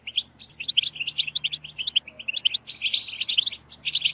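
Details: A group of European goldfinches twitter together in a 'batbata' chorus meant to excite other goldfinches into singing. Quick, bright chirps come in separated bursts, then the sound thickens into overlapping twittering near the end.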